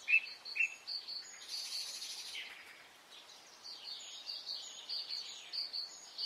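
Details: Spring morning birdsong in Brittany, France: two sharp chirps, a burst of hissing rustle, then a rapid run of high, thin twittering notes repeated about twice a second against a soft, steady background.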